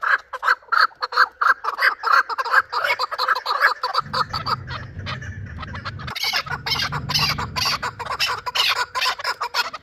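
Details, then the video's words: Last year's young chukar from Shurobod giving fast repeated clucking notes; halfway through a deep rumbling engine-like noise joins beneath the calls and continues to the end. "Кабки Кавоки Шуробод"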